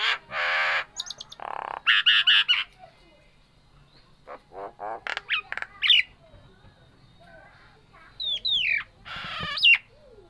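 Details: Nias hill myna, a captive bird in full voice, giving loud harsh squawks, sharp rising whistles and clipped chattering notes in bursts separated by quiet pauses, with faint speech in the background.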